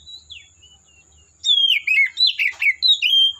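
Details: Quiet whistles give way to a loud, fast outburst of varied melodic phrases from an Oriental magpie-robin in the forest, notes slurring up and down in rapid rhythm.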